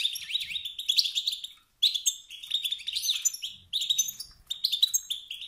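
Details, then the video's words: Male European goldfinch, wild type, giving competitive stirring calls: continuous bright twittering with quick rising and falling notes in three bursts split by short breaks. "ستستات و بتبتات ذكر الحسون الخلوي التي توقد النار في الذكور الاخرى"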